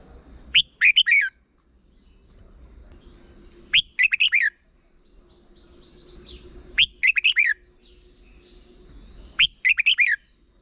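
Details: Red-whiskered bulbul singing a short 'double' style phrase meant for young birds to learn: quick clusters of four or five clear, bouncing whistled notes repeated about every three seconds, over a steady thin high-pitched whine.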